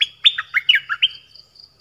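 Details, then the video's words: Nok dok taeng singing a phleng boen phrase, meant for young birds to copy and for calling wild birds. Brisk whistled notes with upward and downward slides in quick series, then a thin high trailing tone. "เสียงนกดอกแตงEp.5 Birds sounds เพลงเบิ้ล"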